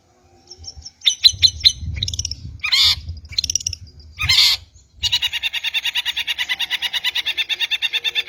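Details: Long-tailed shrike lure song: varied stuttered chirps and two loud harsh squawks, then a steady fast chattering series of rich notes running for over three seconds.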